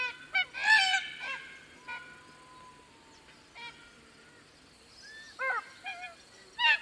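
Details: Red-tailed Black Cockatoos in woodland on the Atherton Tablelands, Queensland, tropical northern Australia: a loud grating harmonic squawk near the start, then scattered shorter creaky calls, with other birds' whistled notes in the background.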